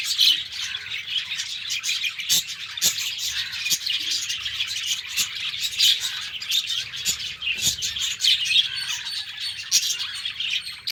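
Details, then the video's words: Caged pet budgerigars chatter through the morning in a long, dense chorus of high twittering and warbling. Sharp clicks or taps cut in every second or two. "LOVE BIRDS .... MORNING VIEW OF MY BUDGIES CAGE"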